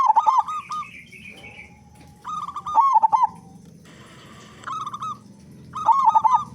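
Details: Local zebra dove, big-voiced, singing to lure other doves into cooing: three loud, warbling, rolling phrases spaced about three seconds apart, with softer trailing coos and a faint higher trill between.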